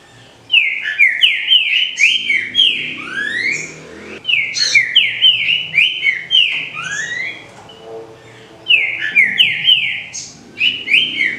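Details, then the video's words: A green-winged saltator sings loud, clear whistled phrases in three bursts, each a fast run of rising and falling notes with sharp upslurs, separated by brief pauses. The recording is meant to warm up and stimulate captive birds. "ESQUENTE SEU TRINCA FERRO"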